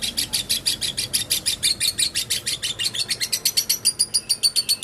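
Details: Lovebird uttering a short ngekek run, loud evenly spaced harsh chirps that grow sharper and higher toward the end.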